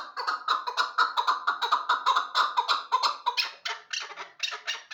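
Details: Hybrid chukar partridge used for hunting; rapid throaty chuck notes in a running series, turning after about three seconds into sharper, higher, spaced raspy bursts.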